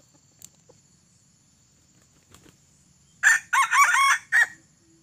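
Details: Red junglefowl with tadung plumage, an escaped bought bird rather than an original wild one, crowing during a trapping session with a decoy: a loud harsh four-part crow after faint background ticks.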